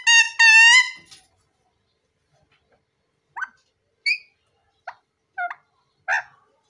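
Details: A plum-headed parakeet (Psittacula cyanocephala) talking: a loud, nasal, drawn-out squawk with a voice-like tone, then five short, sharp chirps spaced roughly a second apart.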